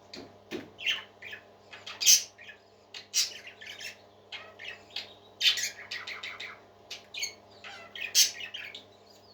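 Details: Parakeets warbling as pets, a busy mix of quick twittering notes, rasping squawks and a few piercing calls, delivered in irregular bursts against a quiet low hum.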